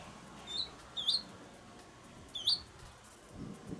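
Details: Swallow nestlings being fed at the nest on a sunny day in April 2020, days before fledging. Three thin, high chirps stand out, two close together and one after a pause, against a soft low rumble.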